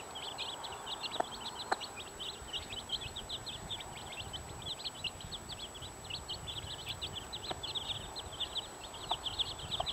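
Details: Continuous shrill peeps from a brood of 15 chicks beside their mother hen, quick repeated falling chirps spaced irregularly, with occasional sharp knocks and low rumbling in the background.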